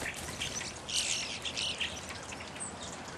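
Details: Evening grosbeaks: a short cluster of bright, high chirps around the middle second, a few quieter notes following, set against a constant wash of outdoor background noise.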